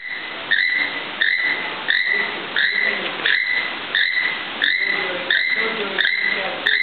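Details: Male keel-billed toucan of a captive courting pair sings to the female: a steady run of harsh, creaking notes, one roughly every two-thirds of a second, over a soft hiss.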